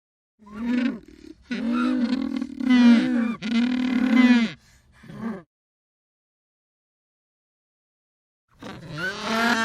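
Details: Penguin giving loud, harsh braying calls in long drawn-out bursts with rich harmonics, a series of several blasts followed by a silent gap and another burst at the end.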